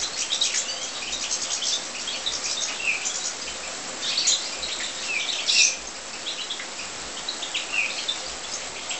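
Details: European goldfinches in an aviary, thinner high twittering with scattered chirps and a few clear whistled slurs standing out, over a soft background hiss.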